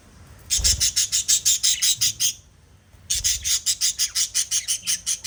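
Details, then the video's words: Loud, rasping squawks from a pet budgerigar in two fast trains, roughly three calls a second, with a short quiet break between them. "Little LOVE Birds Chirping Sound PARROT Family video"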